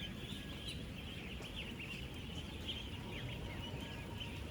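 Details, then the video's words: A real duck farm crowded with about 16,000 ducklings aged ten days: many overlapping, rapid, high peeps and slurred chirps form an unbroken chorus above a deep, steady rumble. "16,000 Ducklings Making AMAZING Sounds!"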